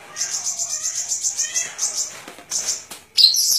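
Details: High, rapidly repeated piping notes from a golden-fronted leafbird, about six per second, then a pause and a sudden loud chattering phrase.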